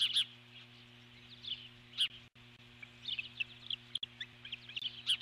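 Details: An eagle keeps up its alert calling on the nest as an intruder passes, 12 July 2014; bursts of rapid, high chittering notes in clusters across the clip, over a faint continuous hum.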